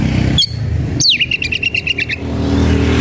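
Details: Oriental magpie-robin (kacer) worked up and searching for a rival to fight: one high whistle, then a downslurred note followed by a quick even train of about ten repeated notes, with low traffic-like rumble.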